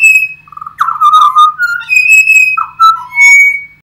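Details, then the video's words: Bird chorus from Australia, with loud whistled notes that dip, rise and hold steady, broken by harsher squawk-like bursts and several voices overlapping against a faint low hum. "Coro de Pájaros"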